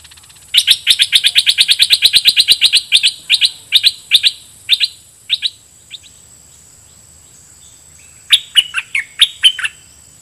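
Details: Caged red-whiskered bulbul used as a lure, singing at wild birds with doubled phrases: a fast rattling run of sharp notes that slows into spaced chirps, a pause, then a brief bright warbled phrase.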